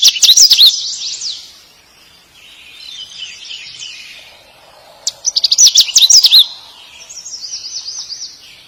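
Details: Male bird calling for a mate: two loud phrases of high, rapidly sweeping chirps, each followed by softer warbling, with a faint low hum in between.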